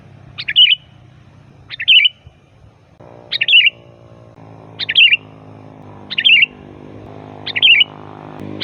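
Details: Loud, varied sooty-headed bulbul song, used to lure bulbuls: six short bubbly, slurred phrases, one every second or so, over a steady low hum with tonal bands.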